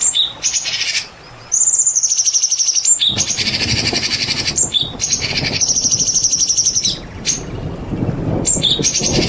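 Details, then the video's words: Champion white-rumped shama song mixed with rain: high, sustained whistles and grating, fast-pulsed chatters that last several seconds each, set against a constant rain hiss that grows louder partway through. "TERAPI MURAI BATU JAWARA"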